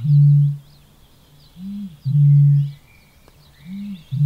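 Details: Eurasian bittern giving deep, low, hollow booms in half-second bursts, repeated about every one and a half seconds, with faint high calls of other birds in the background.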